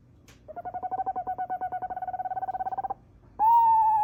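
An owl gives a fast, even trill of about ten soft hoots a second lasting over two seconds, then a loud, steady, slightly quavering whistled note.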